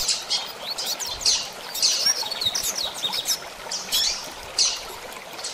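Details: A Double-collared seedeater gives quick, sharp, high-pitched twittering notes and brief trilled runs, clustered in bursts separated by short pauses, over a light background hiss.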